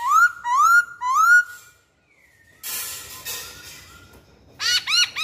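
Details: Masked laughingthrush singing a lure song: three rising upslurred whistles in quick succession, a pause with a burst of noise, then a run of arched whistled notes.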